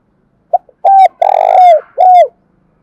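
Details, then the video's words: Spotted dove cooing to prompt another dove to call: a short pip and faint click, a flat coo, a long vibrating coo falling at its end, and a last down-curving coo, all loud and near. "chim cu gay kich boi"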